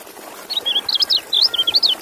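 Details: Kecial, a white-eye, singing a quick series of sharp, high slurred whistles in short clusters, some notes rising and others falling, over a soft continuous background hiss.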